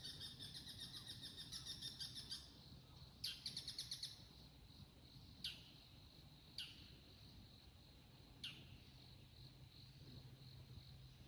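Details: Bull-headed shrike making high-pitched autumn territorial calls around 5:30 at dawn in Chiba City, Japan. A rapid buzzy run of shrill notes opens, then a second short burst, followed by single sharp squeaks spaced a second or two apart over steady low hum.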